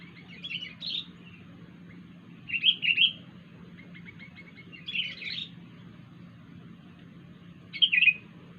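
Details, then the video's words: A wild sooty-headed bulbul makes a strange sound: short, separate bursts of slurred, rising-and-falling chirps spaced a few seconds apart, with a constant low hum behind them. "kutilang liar suara Aneh"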